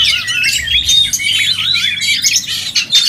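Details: Contest singing from oriental magpie-robins: a busy tangle of high, sharply modulated whistles and chattering notes, several birds overlapping without a break.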